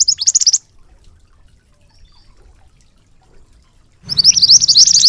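Rapid, high rolling trills of a small songbird in two bursts, about half a second and one second long, separated by a quiet pause, with a faint low hum underneath.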